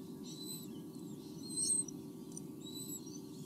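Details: Two White-bellied sea eagle chicks at a nest in Australia, 8 August 2015, give thin, high, faintly buzzy cheeps in short bursts about once a second, over a steady low rumble of wind.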